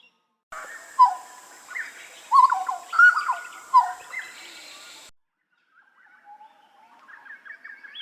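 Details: Hooded butcherbird song for songbird training: bold fluty notes, several sharply falling, over a constant high electronic whine, then a pause followed by soft rising warbles.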